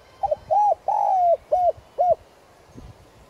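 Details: Spotted dove kept as a lure for wild doves, one complete cooing phrase: a quick double note, a short coo, a long falling coo, then two short arched coos.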